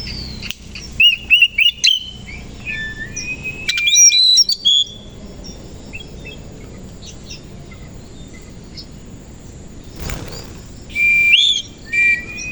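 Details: Oriental magpie-robin, koci type, singing vigorously in the morning with its tail spread. A run of rapid, repeated clear whistles leads into fuller warbling phrases. After a quiet stretch, loud, rising whistles return near the end.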